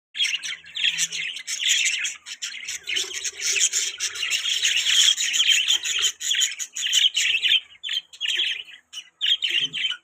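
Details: Budgerigars chirping: dense, continuous high warbling chatter with squawky bursts and buzzy notes, several birds overlapping with brief pauses near the end.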